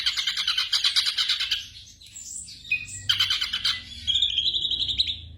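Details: Black drongo song played at night for training caged birds: dense bursts of rapid, harsh chattering notes, broken midway by a short pause with a few thin whistled notes before the scratchy chatter resumes.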